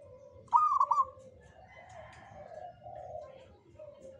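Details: A local Jogoboyo zebra dove, said to invite good fortune, opens with a sharp, bubbly burst of quick notes. Deeper, hoarse sounds and steady low cooing follow.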